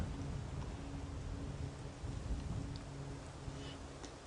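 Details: Low rumbling noise like distant thunder or a vehicle engine, with a faint steady hum and no animal calls.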